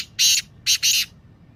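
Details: Kala Teetar, Black francolin, 'masti' call: three harsh, buzzy rasping notes, a longer first note then a quick pair, loud and clear against a quiet background.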